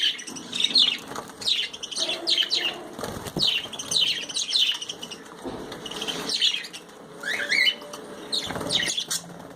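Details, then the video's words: Pet budgies chirping while they bathe: scattered quick, high, slurred chirps throughout, mixed with loud splashing and bursts of wing flapping. "Birds are chirping noise & enjoy their bath"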